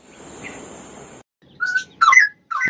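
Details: Straw-headed bulbul, a bird known for singing every morning, giving three loud, bubbly, liquid warbled phrases in quick succession after a second of steady background hiss.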